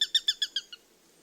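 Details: A Eurasian sparrowhawk (Accipiter nisus) gives a fast, harsh kek-kek-kek: six sharp notes in under a second, the last one weaker, then quiet.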